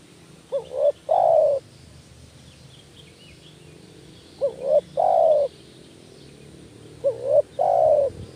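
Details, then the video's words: Lure recording of a spotted dove: three phrases, each a rising, hooked coo followed by a longer, mellow, gently falling croo, repeated roughly every three seconds. "panggilan tekukur males bunyi kuk 1 tekukur anda jadi kepanasan"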